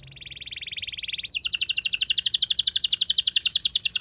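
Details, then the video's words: Canary delivering a ngeroll rolling song as a lure for other canaries: a thin steady high trill that suddenly switches to a louder, fast, pulsing roll of evenly spaced notes, with faint low background hum. "Pancingan Burung Kenari Ngeroll Mewah! Bikin Emosi Kenari Lain Auto Terpancing Jadi Gacor"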